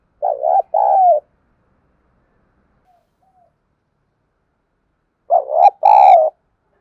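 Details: Spotted dove decoy sound meant to make birds coo. A pair of low, throaty coo notes sounds, then a long silence, then the same two-note coo repeats, the last note slightly harsher.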